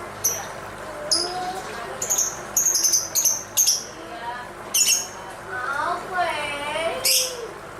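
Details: Lovebird singing while dancing: high sharp chirps and short shrill squeaks in scattered bursts, with lower chattering warbles and a fluttering trill underneath, over a steady background hum.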